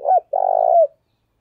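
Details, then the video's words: ["A single phrase from a decoy spotted dove of the 'thổ đồng' voice type, 'thúc bổi' calling. A short hooked coo is followed by a drawn-out, vibrating croo that slides down at the close."] "tiếng cu mồi thúc bổi căng đét/ Tiếng cu gáy mồi chuẩn gáy gọi"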